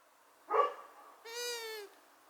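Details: Female long-eared owl hooting: one drawn-out, nasal, harmonic-rich note lasting about half a second, slightly falling at the end, preceded by a short, rough, noisy burst.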